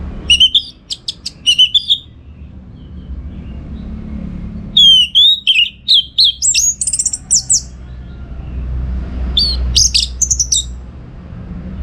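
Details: Vigorous Orange-headed thrush song, a training recording for contest birds: repeated sharp chips, then a long varied phrase of rising and falling whistles and buzzy trills, later more rapid chips, against low background hum.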